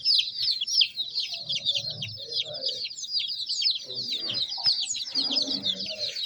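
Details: Soft, high-pitched chirps from a group of chicks interacting with their surroundings. The calls pour out in rapid overlapping series, with some rustling and low noises partway through.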